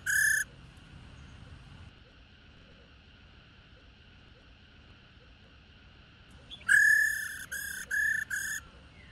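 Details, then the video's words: Female black-throated laughingthrush, played to stir males into singing, gives a harsh, nasal call, then after a long pause four rough notes in quick succession, over a steady faint hum. "KHƯỚU MÁI RÒ HẤP DẪN TRỐNG /Kích Trống Hót Căng"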